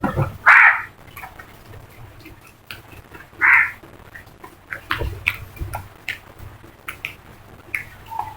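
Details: A flock of crows calling: two loud, harsh, hoarse caws stand out, with fainter scattered calls and clicks from other birds of the flock between them.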